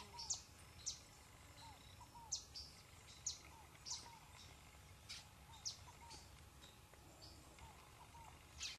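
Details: On river islands near Puerto Ayacucho, Venezuela/Colombia, an Orinoco spinetail repeats short, high, scratchy notes roughly every half second to second, while soft low rising whistles from another source recur beneath a steady hiss.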